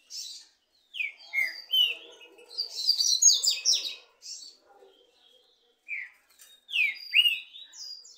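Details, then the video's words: Two Brazilian trinca-ferro (green-winged saltator) in a singing contest, answering each other with loud, clear whistled phrases, some rising and falling slurred notes, separated by short pauses, with faint chirps and low background noise. "DISPUTA DE 2 TRINCA FERRO CANTO E MACHIADO ESQUENTA ATÉ CHEBA"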